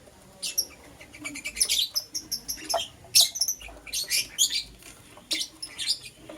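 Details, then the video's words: Green Personata and yellow pastel pied lovebirds in the morning, giving a lively chatter of high, thin chirps and harsh squeaks in dense clusters, with short gaps between clusters. "Lovebird Chirping Sounds"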